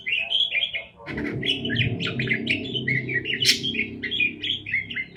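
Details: Chattering parakeet chirps run almost without pause, rippling and slurred. A steady low rumble or hum of background noise starts after the first second and runs beneath the birds.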